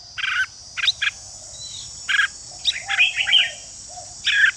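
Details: Red-whiskered bulbul giving song to excite competing bulbuls: a few thick, buzzy chirps spaced about half a second apart, then a brief tumbling warble, set against a constant high hiss.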